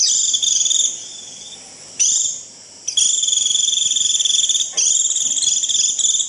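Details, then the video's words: Japanese white-eye calling its flock with the 'rít' call: shrill, fast-pulsed buzzy trills, one brief, then a long unbroken run from three seconds to the end with a slight break near five seconds. "Tiếng chim vành khuyên rít √ siêu gọi bầy cực kỳ nhậy gọi là về"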